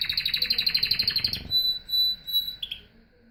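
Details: Canary delivers a rapid pulsed trill of about a second and a half, then three long, pure, steady whistles.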